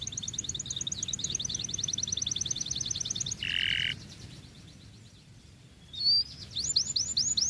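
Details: Canary in full song, meant to provoke other canaries into singing: long rapid rolling trills of high repeated notes, a short buzzy harsh burst, a quiet pause, then sharp sweeping upward notes, over a steady low background hum.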